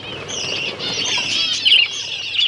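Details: Captive finches at their egg food, October 21, 2023, produce a short, dense chorus of high warbling chirps that ends in a couple of sharper notes.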